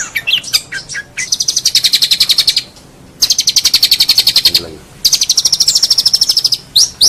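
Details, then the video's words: Long-tailed shrike tutor song for competition birds: several long, buzzy, rattling high trills of about two seconds each, separated by brief pauses, opening with a few scattered sharp notes. "Masteran cendet"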